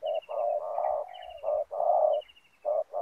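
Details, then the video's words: Spotted dove acting as a lure bird for wild doves at a ground snare trap in Indonesia; a close, throaty run of low coos, some drawn out, with faint high trilling notes overhead. "Mikat Tekukur"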